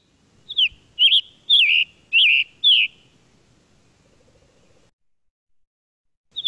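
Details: Scarlet Tanager, a brightly coloured spring migrant passing through southern Quebec, sings five hoarse, burry phrases, each slurring downward, about every half second, then pauses before another phrase begins.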